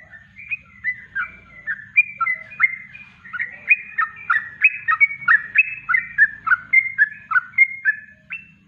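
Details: Yellow-vented bulbul giving a natural kongslet song for use as a master in bird training; continuous bubbling whistled phrases, roughly three to four per second, growing livelier and louder in the middle before fading.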